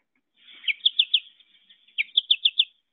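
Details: American Goldfinch, a Central Wisconsin backyard bird, giving the 'po-ta-to-chip' song typically sung in undulating flight: two quick bursts of high, bright chirps, four or five notes each, about a second apart.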